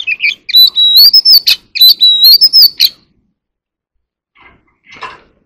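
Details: Oriental magpie-robin, an ornamental bird in a competitive singing bout with dancing: about three seconds of fast, bright whistles mixed with clicks and chips, then quiet and a couple of soft trailing notes.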